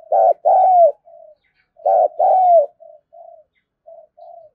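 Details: Decoy coo of a spotted dove for luring wild doves: two loud two-part coos about two seconds apart, each a short note then a long falling note, trailed by several soft low coo notes.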